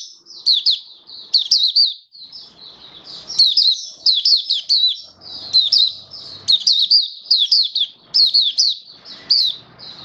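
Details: Caged oriental white-eye (mata puteh) kept as a hobby songbird, recorded 21 October 2022 on its first day given a song-display booster: rapid high twittering phrases of sweet, slurred chirps repeated in bursts about once a second.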